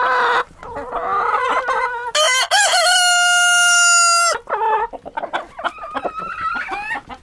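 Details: Rooster crowing: a loud, strained, harmonic-rich crow held steady for about two seconds in mid-clip, with shorter clucking and rising calls before and after it.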